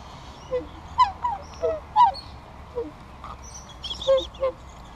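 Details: Mute swans at a feed, 23 April 2015: short nasal honking snorts, single or in quick pairs, roughly every second over a low murmur, as a pair tries to drive off a young male who is beaten up daily.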